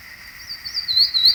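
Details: Historic 1953 recording of a fan-tailed warbler on a mountain above Tuxtla Gutiérrez, Chiapas, Mexico, May 26: song of thin, high, sweet notes that strengthen and rise over about a second, over a steady faint hiss.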